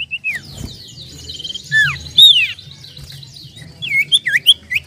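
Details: Lure recording of a common iora (cipoh/sirtu) singing energetically with 'nyiull nyiull' notes: scattered high whistles and falling slurs, a loud swept note midway, ending in quick looping, rising-and-falling whistled phrases above a steady low hum.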